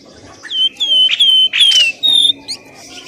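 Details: Lure call to draw birds out of bushes, pelamboyan ribut: a run of clear whistled notes, each sliding slightly downward, about five in three seconds, with faint chirps between.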